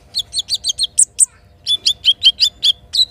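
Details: Little spiderhunter singing in the morning: two bursts of sharp, high chirped notes repeated rapidly at about three per second, each note a short downward-flicking tick, with a brief pause between the series.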